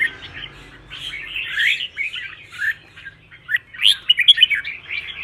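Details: Red-whiskered bulbul in song meant to spur birds to sing in contests. Loose, scratchy warbled notes and brief slurred whistles are broken by short gaps, ending in a brighter, rapid flourish of sharp whistled notes.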